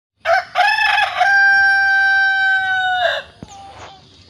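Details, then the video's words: Village chicken crowing: a harsh stuttered opening, then a long, level, ringing note held for nearly two seconds, closing with a rough drop and faint background noise. "suara asli ayam kampung"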